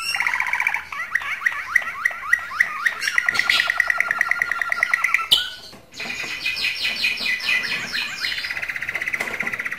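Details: Canary song used to stimulate females for mating: rapid trilled tours of repeated notes around mid pitch, some rising sweeps, a brief break, then fast high buzzy rolls resuming into steady trills.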